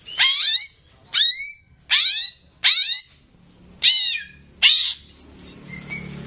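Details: Caged greater green leafbird used as a tutor for young birds: six harsh, rasping downward-sweeping notes about one per second, each a loud scratchy burst, followed by a faint soft whistle.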